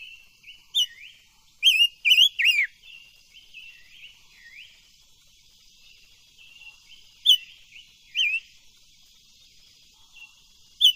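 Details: Silver-eared mesia singing for voice training: scattered loud, slurred whistled notes, a quick run of three near the middle, with softer wavering whistles between and two more bright notes later on.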